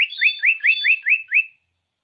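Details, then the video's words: Common iora (sirtu, cipow) lure recording meant to stir reluctant birds to sing: seven quick, clear rising-and-falling whistled chirps in an even series lasting about one and a half seconds, with nothing else heard. "Masteran Burung Cipow/Sirtu"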